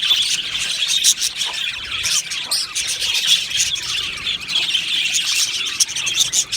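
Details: Budgerigar colony in an aviary: unbroken high twittering mixed with sharper squeals and short squawks from many birds.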